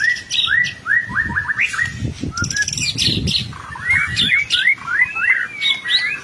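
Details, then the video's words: White-rumped shama, a gacor songbird kept as a lure recording for young birds, singing a varied stream of whistled upslurs and chattering notes, with low rumbling noise underneath. "MASTERAN BURUNG MURAI BATU GACOR, COCOK BUAT PANCINGAN MURAI BAHAN AGAR CEPET NGERESPON"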